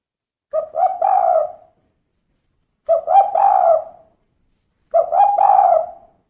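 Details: A female spotted dove calls three times in the kuk 2 manner: each phrase a rapid pair of hollow coos followed by a longer, gently falling coo, repeated about every two seconds with quiet in between.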